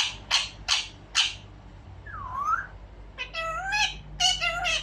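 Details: A pet albino rose-ringed parakeet chatters in short, harsh bursts, then gives a swooping whistle and a run of nasal, speech-like syllables as it talks.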